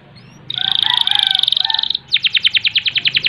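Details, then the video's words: Vigorous canary song of the rolling ngerol and ngerek kind: a dense, level buzzy trill with lower harmonic notes, then a crisp series of fast repeated sharp notes about eight per second. "Kenari Gacor Panjang Ngerek Ngerol Nembak"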